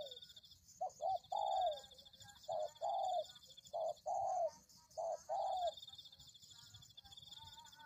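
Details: A spotted dove coos on a lure track meant to attract others of its kind. About five phrases of brief paired notes each lead into a longer falling coo. A persistent high buzzing continues throughout.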